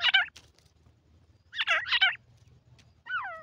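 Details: Francolin call recording with chicks. Loud, scratchy cackles: a short burst at the start, a doubled rasping phrase midway, and a final descending, smoother note, with quiet gaps between and a soft low hum beneath.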